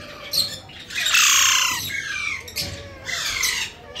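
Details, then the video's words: Talking Indian ringneck parrot known as Alexander; harsh broad screeching squawks, a long loud burst followed by two shorter ones, rough and noisy rather than word-like. "Alexander talking parrot"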